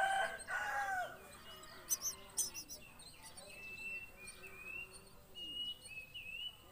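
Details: At a common myna nest where the young are fed locusts and crickets: a loud, harsh, raspy burst, then a couple of sharp clicks, followed by thin, high, wavering squeaks repeated through the rest.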